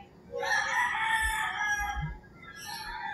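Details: Early-morning crow of a rooster in rural Philippines, a rough, strained harmonic call lasting nearly two seconds, with soft low bumps and other birds calling faintly afterward.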